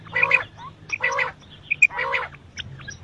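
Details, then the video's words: Quail calls, male and female, for morning and night: three harsh, rasping, broad bursts about once a second, with a few thin whistled notes between them over a low steady hum. "batair ki awaz subah ke liya batair ki awaz night batair ki awaz male batair ki awaz female quails"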